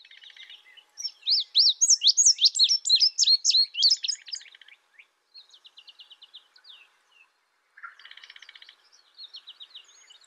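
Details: Indigo bunting with a loud, rapid series of high, rising-and-falling chirps for about three seconds, set between quieter buzzy trills and twitters from other birds.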